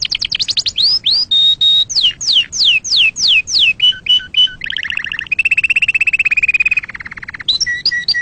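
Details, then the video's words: Canary in full song, used to teach chicks and for mating: quick falling sweeps, a held whistle, more sweeping slurs, hooked notes, then a long rolling trill and mixed closing notes. "تغريد كناري أصلي لتعليم الفراخ وللتزاوج وتهييج طيورك"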